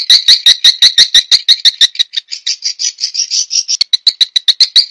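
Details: Swiftlet lure sound used to attract swiftlets: fast series of sharp high clicking chirps, about three per second, breaking into a short continuous buzzy twitter before the rapid clicks resume.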